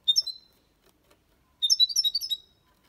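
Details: European goldfinch copia Málaga song for stimulating young birds; a short bright chirped phrase, a pause, then a lively run of rapid high twittering and tinkling notes lasting over a second.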